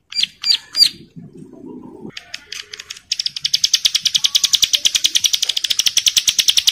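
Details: Bar-winged prinia in breeding condition calls to other females, which answer: three sharp high chirps, a short soft rustle, then a long rapid series of high clipped notes repeated several times a second.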